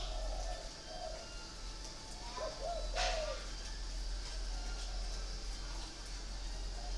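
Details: Caged spotted dove in Ba Vì, Hanoi, Vietnam, giving a short run of low, soft, hollow coos around the three-second mark. A steady background hiss runs throughout, with a brief sharp click near the coos.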